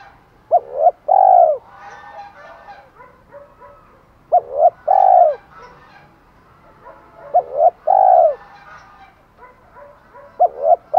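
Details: Spotted dove challenge calling and calling to hens. Three-note cooing phrases, two clipped notes then a long rich coo, repeat roughly every three and a half seconds. Softer, scratchy, chattering sounds fill the gaps between phrases.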